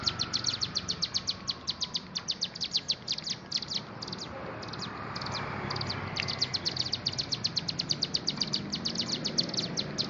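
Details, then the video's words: Ciblek gunung, the bar-winged prinia, in sustained rapid song: high clipped notes repeated several times a second, briefly pausing midway, then resuming in a dense, energetic series. "Ciblek Gunung Gacor mental baja"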